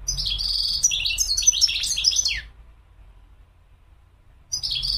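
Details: European goldfinch delivering a lively two-second run of varied twittering, trills and slurred notes ending with a falling note, a pause, then the next phrase starting.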